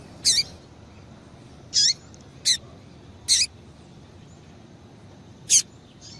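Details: A female double-collared seedeater's call to get a male singing: five brief high notes spread unevenly across six seconds, each with a short falling tail, over low steady hiss.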